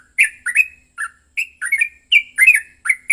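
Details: Yellow-vented bulbul giving an aggressive, emotional fighting song used as a lure to provoke other bulbuls into singing: bursts of short bubbly, slurred notes, some rising, some dropping, tumbling in irregular clusters with brief pauses.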